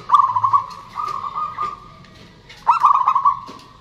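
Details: Zebra dove song used as a lure: a long even purring trill opening with stuttered loops, a pause, then a second phrase of rapid looping coos, males and females answering each other.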